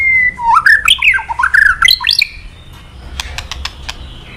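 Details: Male white-rumped shama giving kretekan notes used to rouse a rival into singing: loud looping whistled phrases that swoop down and up, followed by a run of dry ticking clicks.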